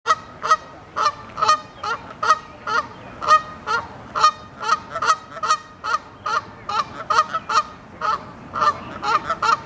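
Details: Canada geese honking extremely loud as they announce readiness for take-off; a rapid, steady series of harsh nasal honks, more than two per second, from several birds overlapping throughout.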